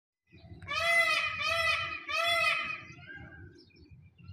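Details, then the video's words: A peacock (Indian peafowl) gives three loud, nasal, wailing cries in quick succession, each lasting about half a second, over a low background rumble. "Peacock Calling"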